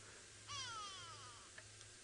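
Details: A go-away bird at sunrise near a dam in Djuma Game Reserve, Sabi Sand, South Africa, in January, gives one drawn-out, nasal, cat-like falling call, possibly alarm-calling with squirrels; two faint clicks follow, over a quiet background.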